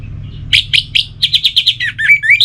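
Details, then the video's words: Orange-headed thrush (anis merah), caged in Singaraja, North Bali, gives three spaced chirps, then a fast rhythmic series of similar short notes ending in slurred rising whistles, over a low hum. "Anis Merah Bunyi Santai"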